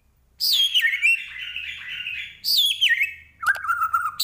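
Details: White-rumped shama from Medan, Indonesia, in full varied song: loud whistled phrases sweeping down from high notes, rich trills, and a steady low whistled note near the end.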